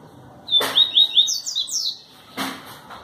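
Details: Yellow-bellied seedeater, a singer with a distinctive song style, recorded in Pau Brasil, Bahia, Brazil, on 25 May 2018: a quick run of sharp high whistled notes rising into slurred, descending phrases, with loud broadband knocks at the start and near the end.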